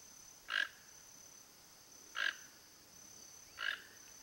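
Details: A toco toucan keeping watch around its nest in Brazil gives three short, harsh, croaking grunts spaced about one and a half seconds apart, over a steady thin high-pitched insect drone.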